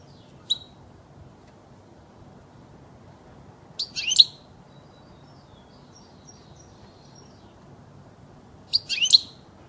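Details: European goldfinch song for training young birds to sing: three widely spaced bursts of high, bright twittering notes with long quiet gaps between them, over a low steady background hum.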